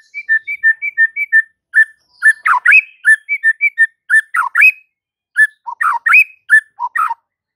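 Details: White-rumped shama singing to provoke other shamas: paired clear whistled notes repeated in a steady pattern, broken by lower swooping slurs, the phrase cycling several times.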